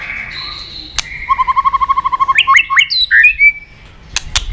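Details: White-rumped shama song used as training material for other shamas: a fast run of evenly repeated low whistled notes, then loud rising and falling whistles and a thin high trill, with sharp clicks around it.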